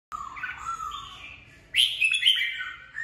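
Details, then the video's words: Red-whiskered bulbul singing, used to train newly caught birds to find their voice and to prepare birds for song contests. A rich, warbling whistle falls, then a louder bright burst of higher notes follows. "Chào mào bọng hay, hót luyện bổi ra giọng, luyện chim đấu giàn"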